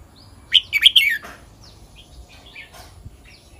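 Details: A red-whiskered bulbul delivers one quick, ringing phrase of four bright notes in the kwik-jok-khwai-liang pattern, followed by faint chirps from other birds.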